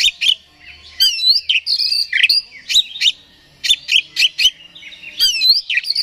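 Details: Provocation song of an oriental magpie-robin, meant to rouse another bird into aggressive singing: dense bursts of varied whistles, slurred notes and sharp clicks, broken by brief pauses.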